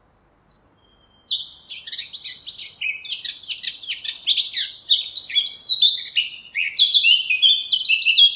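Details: Eurasian blackcap song: a dense run of rapid chattering, scratchy notes that builds into clearer, louder whistled phrases, continuous for about seven seconds with no other sounds.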